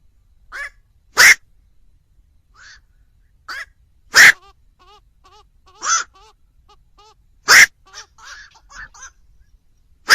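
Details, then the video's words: Black-crowned night heron, played to trap birds at night: loud hoarse croaks at intervals of about three seconds, with a series of soft, thin chirping notes from another bird in between. "tiếng chim vạc"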